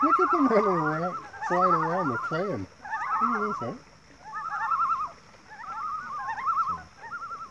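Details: Thirteen common loons gathered together on the water give overlapping, polyphonic calls: lower laughing, stuttered notes mixed with higher wavering tremolos that come in rising and falling bursts, with a faint steady high hum behind.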